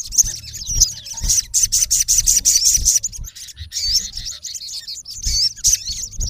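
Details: Olive-backed sunbird male calling at a rival, giving shrill, fast chattering trills and curled whistled notes in bursts separated by brief pauses, with low bumps of background noise.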